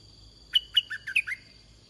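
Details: Wild red-whiskered bulbul, a big bird answering a caged decoy: a brisk, cheerful phrase of about six whistled notes lasting under a second, high sharp notes followed by lower upslurs. A continuous shrill insect tone sits in the background.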